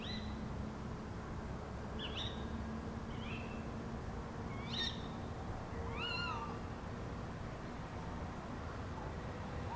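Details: Tawny owls calling in the early morning of 28 November 2011 from a back garden in Beek-Ubbergen, the Netherlands, give about five short, sharp, slightly rising 'kewick'-like calls a second or two apart, over a steady low rumble.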